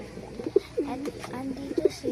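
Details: Pigeons at feeding time giving low, soft cooing notes, several short swelling coos and a longer drawn-out one that falls slightly, over faint background voices.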